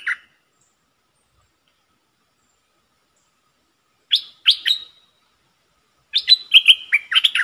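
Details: A singing decoy Puff-backed Bulbul gives a short note, stays silent for about four seconds, then gives two sharp chirps. A fast run of tumbling, liquid warbles follows in a clean, quiet setting.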